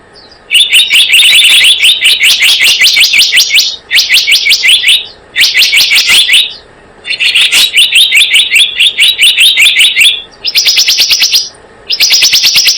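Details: Lure recording of blue-eared kingfisher calls, long repeated bursts of rapid, piercing high-pitched notes, each lasting one to three seconds with short pauses, with the last bursts thinner and higher.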